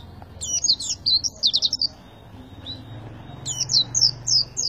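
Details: Oriental white-eye singing tembakan-style phrases, two bright bursts of quick high chirps and short buzzy trills with a quiet gap between them, faint low hum underneath.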